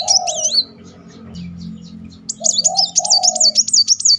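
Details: Van Hasselt's sunbird singing in rapid 'nembak beruntun' style as a lure: high looping whistles at the start, then a long fast train of wavy high notes over lower cooing phrases.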